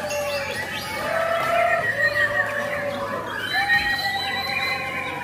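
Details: White-crowned shamas at a bird song contest in Lugu, Brunei Darussalam, on 4 April 2021, singing rich, overlapping whistled phrases, some sustained and some sliding up or down, from several birds at once, with a light background hum.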